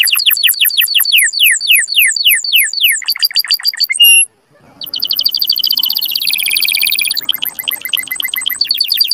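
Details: Strong canary mating song: steady series of descending slurred notes repeated quickly, a brief gap, then buzzy high rolling trills and a sustained whistle.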